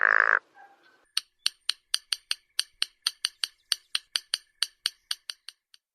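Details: A sparrow-sized rail of grassy meadows and wetlands, known only by voice, gives one brief harsh squeal and then a long steady run of about seventeen crisp tapping notes, roughly four per second, fading at the end.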